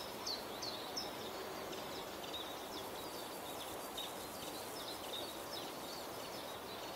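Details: ['Common chiffchaff singing at Beemdkant, Wijnegem, on 26 June 2020: a run of short, high, downslurred notes alternating in pitch, clearest at the start and then fading, over a steady broad background hiss.']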